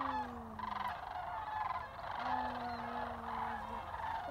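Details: Sandhill cranes arriving at Jasper Pulaski from feeding in nearby fields, a dense roar of many calling birds with drawn-out level rolling notes sustained for over a second each.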